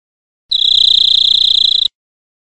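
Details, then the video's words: European greenfinch (Chloris chloris) singing in nature: one steady, rapid trill of evenly pulsed high notes held for about a second and a half, then silence. "Birds Singing - European Greenfinch"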